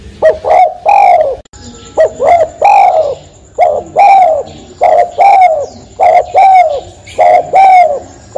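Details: Spotted dove repeating rapid paired coos, a short note then a longer falling one, about seven pairs in quick succession, with a faint steady high whine in the background.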